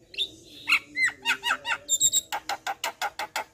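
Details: Energetic Javan myna song meant for tutoring and drawing out other mynas: wheezy whistles and bent squeaky notes, then a steady string of dry, evenly spaced rasping clicks, with a faint hum beneath.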